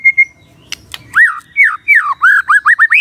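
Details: Two short steady notes open this magpie-robin's morning song, meant to draw a response from a quiet bird. A run of looping, rising-and-falling whistles then speeds toward the end.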